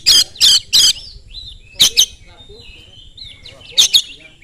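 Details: Oriental magpie-robin singing fast, used as a lure to provoke other magpie-robins to answer and sing: three loud harsh high bursts in quick succession, then thin whistled slurs, two more rasping notes and a final harsh burst.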